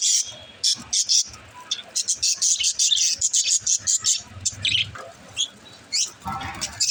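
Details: Pet budgies chirping to encourage lonely budgies; rapid series of short high chirps in a steady pulsing rhythm, warbled chatter between, a low hum beneath.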